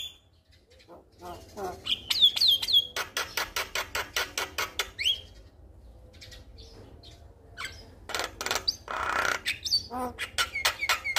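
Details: Active male Javan myna calling a female: a rising whistled phrase, then a fast run of dry clicking rattles, a pause, and more harsh rasping squawks, over a faint low hum.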